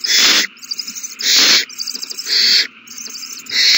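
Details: Owl babies eating well at a large feeding on March 27, 2020: loud broadband hiss-screeches alternate with quieter rapid chittering and ticking notes between bursts.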